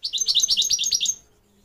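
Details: Goldfinch song for teaching young birds to sing: a quick, evenly spaced string of about nine bright, bubbling chirps lasting just over a second, then silence.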